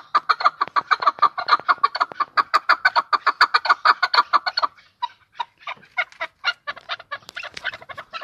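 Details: Chukar partridge singing in Tajikistan: a dense, rapid train of throaty chuk notes for nearly five seconds, then sparser, uneven, higher notes to the end.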